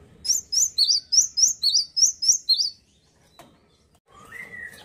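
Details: Vigorous singing from a male gelatik batu, the cinereous tit: around ten ringing, high two-part whistled notes repeated briskly, followed by silence and then a lower, rising whistle.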